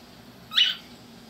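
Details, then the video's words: Male pet cockatiel, introduced to an egg-laying clucking toy chicken, gives a single short, high, scratchy squawk of about a quarter second, rising then falling slightly, in a quiet room. "Talking Cockatiel"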